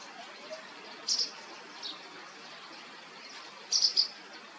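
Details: Amur (white) wagtail (Motacilla alba leucopsis) fledglings, a few days out of the nest and still clumsy fliers, begging for food in Yeoncheon in May: thin, high chirps in two quick doubled bursts about three seconds apart, fainter notes between, over soft hiss.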